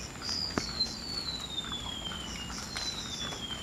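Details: A golden-bellied gerygone in the wild in Indonesia gives high, thin, wheezy whistles that slide slowly downward, each drawn out about two seconds, over a soft outdoor hush.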